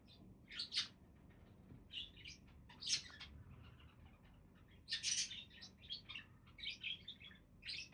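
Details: Budgies chirping in irregular clusters of scratchy, buzzy notes, busier toward the end, over a faint low rumble.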